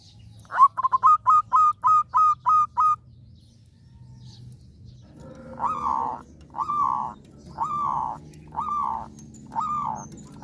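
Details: {'caption': 'Local zebra dove, an actively singing bird kept to spur other doves that have stopped singing: a fast run of about eight clipped, hooked cooing notes, then a pause and a slower series of six fuller, rounded coos with low background hum.'}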